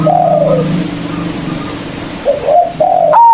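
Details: Local zebra dove kept as a lure to provoke rivals, mostly soft descending coos over a steady low hum, ending with the start of a loud whistled note.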